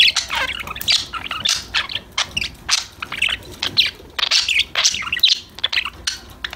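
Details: Budgies kept as pets, playing and chattering together: busy, scratchy warbles and high chirps in clustered bursts roughly every half second, layered voices forming a steady flock chatter.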